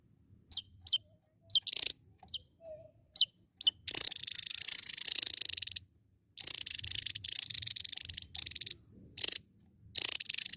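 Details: Javan tesia in full song: a string of isolated thin, very high sharp notes, then extended fast buzzy trills at high pitch, interrupted by short silences. Nothing else clearly audible.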